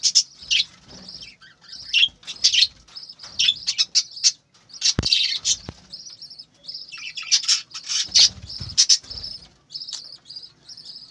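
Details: Budgerigars kept for breeding chattering loudly, a steady stream of high warbled chirps and sharp clicks, strongest in the middle, with only brief breaks.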